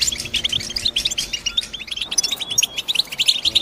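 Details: Quick tinkling chirps and short trills from a European goldfinch run almost without pause, high and bright, with a steady faint background hum underneath.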